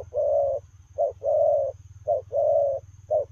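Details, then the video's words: Spotted dove cooing Lèo rồng fashion while running, regular short-long coo pairs, the long coos smooth and level, repeated about every second, with a low pulsing drone beneath. "Gù Lèo rồng vừa chạy vừa gù"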